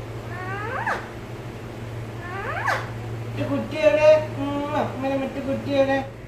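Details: Pet parrot talking in Malayalam, mimicking human speech: two quick sweeping voiced syllables early on, then a run of longer, wavering, strongly harmonic speech-like tones, over a steady low electrical hum indoors.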